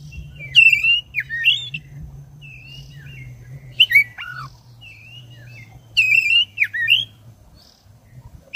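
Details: Black-breasted oriental magpie-robin, a vigorous singer used to provoke caged birds into song, delivering long rolling phrases: loud whistled notes with sharp upward and downward slurs near the top of its range, in bursts separated by quiet gaps, over a low background hum.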